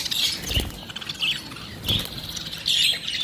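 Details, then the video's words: Lovebirds making short, sharp, high chirps in spaced bursts over a background of soft rustling and low knocks. "love birds sound"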